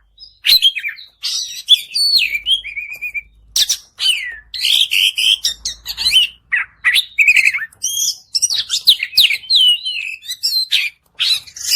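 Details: Oriental magpie-robin in long, continuous song meant to stir a silent bird into singing: varied high whistles, sharp chips, slurred descending notes and scratchy phrases, delivered in quick bursts with brief pauses between them.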